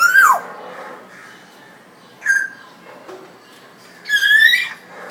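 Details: African grey parrot after its bath in Dhaka, Bangladesh, producing three separate vocal bursts: a falling whistled note, a short chirp, then a longer raspy rising call, separated by quiet gaps.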